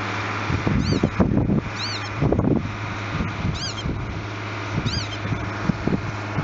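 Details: Breeding northern lapwing alarm-calling as a dog enters its territory, giving thin, high, arched 'pee-wit' cries, four in about five seconds, over a heavy low rumble of engine hum and wind.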